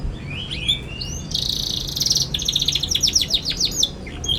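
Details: Young canary chattering and singing, used as a lure for young canaries learning their song: a few rising whistles, then a harsh buzzy burst and a rapid run of sharp down-slurred chips.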